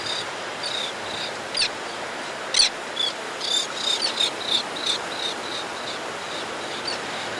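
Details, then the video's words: White-fronted tern adult calling close up as it comes to its nesting ledge to feed: short, high, rasping call notes about once a second, some sharper and louder, over a steady background hiss. "White-Fronted Tern. CU Calls From Adult As It Comes To Nesting Ledge To Feed"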